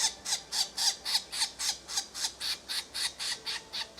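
Red-bellied woodpecker giving a steady run of harsh, scratchy notes, about four each second, evenly spaced and unchanging in pitch, with nothing else heard.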